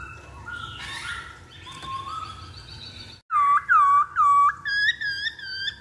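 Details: Masked laughingthrush lure song for prompting other birds: soft overlapping whistles, then loud, pure, dipping whistled notes in a steady series, ending with higher, ringing notes.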